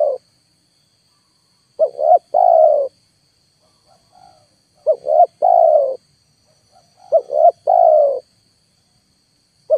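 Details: Played spotted dove lure meant to bring wild birds down, to no effect: double short coos followed by a prolonged descending coo, repeated about every two seconds, with faint murmuring notes in the gaps and a steady high hum.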